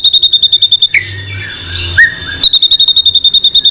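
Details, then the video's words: White-rumped shama masteran recording: brisk series of high clipped repeated notes, broken in the middle by a harsh buzzy passage with short whistled slurs, then the quick repeated notes return. "Masteran MURAI BATU"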